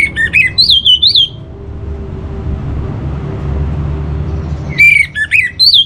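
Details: Orange-headed thrush master song for calming birds kept at home and their breeding drive: a fast phrase of loud up-and-down whistles, a long quiet gap with steady hum, then the same lively phrase returning.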